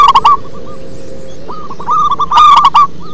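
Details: Local zebra dove in deep, bass-toned song, with rapid rolling coo notes in clustered phrases, a softer run of coos leading into a louder stuttering burst near the end, and a steady low hum beneath.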